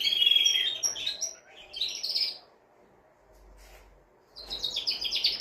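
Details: Male canary singing to excite a female for mating and to tutor young birds. Bright high trills and a clear whistled note, then a pause of about two seconds before a dense buzzy trill returns.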